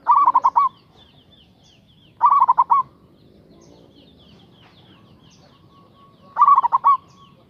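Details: Loud local zebra dove singing to call a rival: three trilled cooing bursts of quick pulsed notes, with gaps of about two and four seconds, and faint higher chirps in the background.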